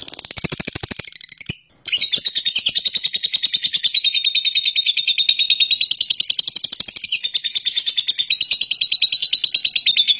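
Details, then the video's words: Fighting lovebird's call, used as a lure to provoke other lovebirds into long singing. A shrill, high chatter of rapid pulses runs almost the whole time, broken by a brief pause near the start. "Suara Lovebird Petarung, Pancingan Lovebird Agar Gacor Lama"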